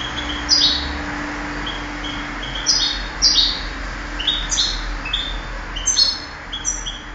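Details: European goldfinch singing at a 2008 contest: scattered tinkling notes and brief twittered phrases spread through the clip, fairly quiet against a noisy, humming background.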